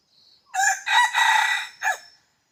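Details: Red junglefowl used as a decoy bird for hunting, giving one loud crow: a short first note, a long harsh middle phrase, then a falling final note, lasting under two seconds, with faint insect buzzing before it.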